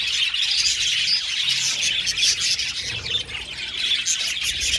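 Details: Budgie colony in an aviary: constant bright twittering with scattered sharper squeaks standing out above the crowd of chirping birds.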